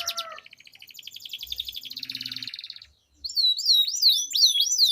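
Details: Duelling canaries give a long roll that serves as a lure for mute canaries: a soft rapid buzzing trill, a brief pause, then loud repeated curling whistled notes.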